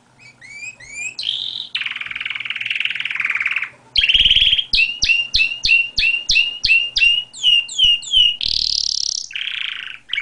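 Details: Canary song: looping whistled figures, a long buzzy trill, then a series of repeated two-part chirps about three per second, ending in a harsh buzzy note.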